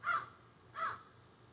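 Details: Crows calling from trees behind a garden, recorded on a cell phone: two short harsh caws about 0.7 seconds apart, then quiet.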